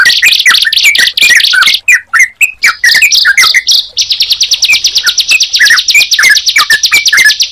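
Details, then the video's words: Bar-winged prinia and yellow-vented bulbul singing together: rapid, repeated high buzzy chirps mixed with lower sliding whistled notes, breaking into a steady fast rattling trill in the second half. "Suara Ciblek Dan Trucukan Jika Dipertemukan"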